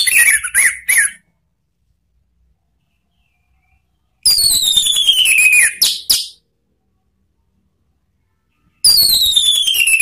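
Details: Orange-headed thrush (anis merah) singing in the "ngeplong" style, used as a lure to train cage birds. Long, high, whistled notes slide steeply downward, then a burst of rapid chirps, with silent pauses between the phrases.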